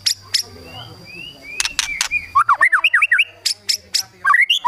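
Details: White-rumped shama (murai batu) in kretekan song style, meant to provoke rival birds into singing: a voice and sharp broadband clicks at first, then a run of quick slurred whistles and crisp chirps, with a faint low hum.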